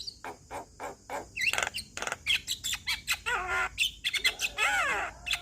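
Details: Male Javan myna song meant to get other mynas singing: clipped chips and clicks building into grating chatters and wavering whistled phrases, with a rasping burst near the end.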